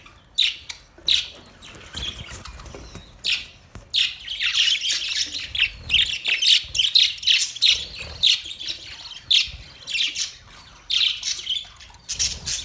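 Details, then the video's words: Budgies chattering steadily, a dense run of sharp high chirps and buzzy warbled notes repeated in quick clusters, some squawky, with brief pauses between bursts. "Budgies chirping sound"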